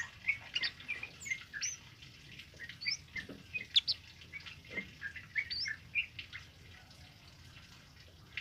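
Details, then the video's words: A tame male kemade sings steadily, used as a tutor recording: a busy jumble of short sweet chirps, upslurred whistles and clipped notes, many high-pitched, with brief pauses and a faint soft background hiss. "Suara Burung Kemade Jantan Jinak Gacor Ngalas Buat Masteran"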